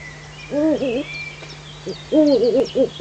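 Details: Eurasian eagle-owl in the Eifel, 19 June 2015, 05:50 in the early morning: two wavering, hoarse, mid-pitched calls rising and falling, plus short hoots, over a steady low hum and faint birdsong.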